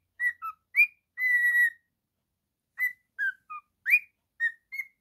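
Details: Whistling and singing by a male pet cockatiel: short notes, a long held whistle, a silent gap, then more varied rising and falling whistles.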